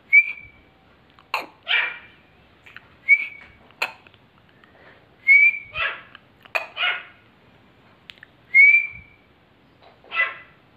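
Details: Young male grey francolin (teetar) calling in reply to a whistle: sustained rising whistles alternate with harsh, rasping bursts, about four exchanges in eleven seconds, with sharp clicks between.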